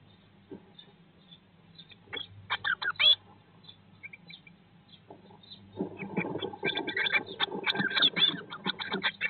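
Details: Blue tit in its nest box on day 19 after hatching, 2022: quiet at first with a few scattered high notes and one short burst, then a sudden swelling chorus of busy, buzzy chattering with rustling underneath.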